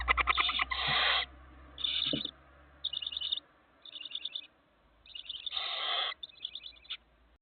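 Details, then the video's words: Four Barn owl chicks in a nest give harsh, wheezy hisses, some rasping and ticking in rapid pulses, in bursts about a second long with short quiet gaps. "Barn Owl chicks"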